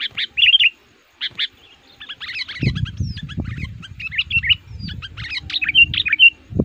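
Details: Sooty-headed bulbul used as an aggressive, active lure bird for attracting wild males in the forest gives bright, bubbly whistled phrases in quick bursts, with chattering notes and low rustling or handling noise behind.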